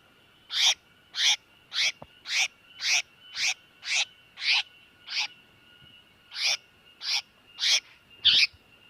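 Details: Tiểu mi đất bird calling in distress, played as a trapping lure: clipped raspy notes repeated about twice per second, a brief gap, then more, with a faint continuous high tone.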